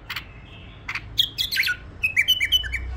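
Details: A tame bulbul sings brief whistled notes that slide downward, then a fast string of clipped whistles, with a few clicks at the start.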